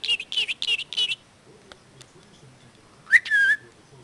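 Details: Pet budgerigar, five months after coming home, imitating its owners calling a cat with "here kitty kitty kitty kitty": four quick, high, squeaky, speech-like syllables, a pause, then a sharp rising whistle followed by a sustained squeak.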